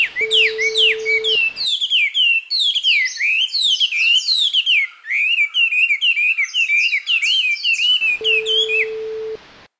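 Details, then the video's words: Japanese white-eye recorded at close range in mid-July pours out a complex, fast, high, twittering summer song of thin slurred whistles, unbroken for several seconds, distant other birds behind; a steady low tone sounds briefly at start and end. "メジロの鳴き声 夏のさえずり"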